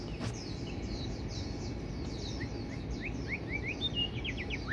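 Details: Fairly distant white-rumped shama, with fast, high, thin notes early on, then a string of short whistled upslurs and quick falling phrases. A constant low-pitched noise fills the background throughout.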